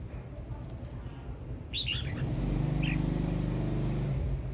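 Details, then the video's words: Brief burst of warbled whistles from a singing male red-whiskered bulbul, then one short note, as a heavy low mechanical drone swells beneath. "Tiếng chim chào mào trống hót"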